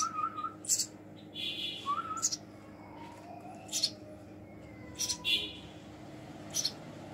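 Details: Baby house sparrow being hand-fed, giving short, sharp, high chirps in irregular bursts about every second or so, with faint lower whistled notes between them in a quiet indoor setting.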